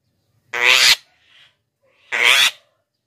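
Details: Black-winged myna (jalak kebo), a recording for luring wild birds and training poor singers: two long, nasal, rasping squawks about one and a half seconds apart, nothing else audible.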